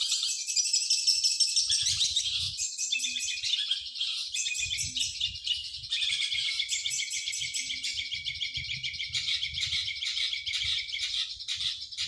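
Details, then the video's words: Long-tailed shrike song used for tutoring other songbirds: a continuous, rapid stream of high, chattering and twittering notes with varied whistles and scratchy trills, barely pausing, over faint low rumbling. "BURUNG CENDET SUPER!!! DIJAMIN AMPUH UNTUK MASTERAN"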